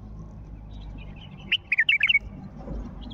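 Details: Wild Mandali bulbul calling: a rapid string of five or six fluty, bouncing notes in under a second, with soft faint twittering before and after and low background hum.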